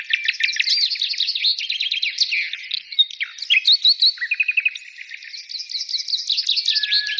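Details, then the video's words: Many birds singing together in a dense, overlapping chorus of high chirps, trills and quick whistled notes, with a rapid buzzy trill near the middle and a long thin whistle at the end. "birds singing"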